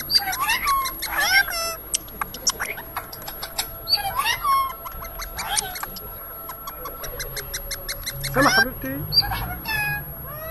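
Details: Talking Rose-ringed parakeet, said to repeat phrases like koko habibi, as-salamu alaykum and a word for kiss; shrill speech-like bursts and squeaks come in short runs over a faint steady hum with some rhythmic background sounds.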